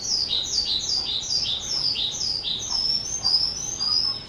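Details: Skylark, a two-year-old cage bird, 18 April 2023, giving a series of repeated down-slurred chirps about three per second, then shifting to higher thin whistled phrases.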